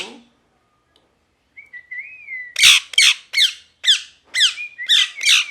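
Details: Angry parrot starts with a smooth, wavering whistle, then bursts into about seven loud, harsh squawks, roughly three a second. A brief whistle slips in between the last screeches.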